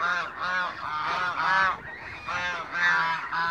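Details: African geese, mature and young birds kept in a backyard, give loud nasal honks in a repeated rising-and-falling series, roughly one every second, with several birds overlapping.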